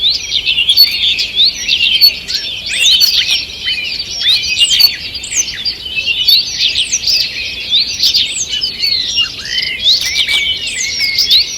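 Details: A lively forest chorus at morning on 2 June 2023, with many birds delivering fast looping whistles, chirps and trills, the voices overlapping densely for the whole stretch.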